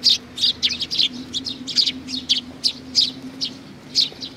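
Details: Sparrows gathering for food, recorded 15 May 2019: dense, lively chirping of short, high notes tumbling in rapid clusters, with a steady low-pitched hum throughout.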